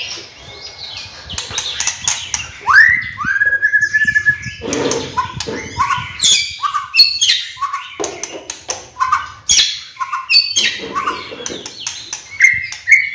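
A White-rumped shama sings a rich, fast medley of clear whistles, slurred rising notes and harsh chattering phrases, changing pitch constantly, with no other clear sounds.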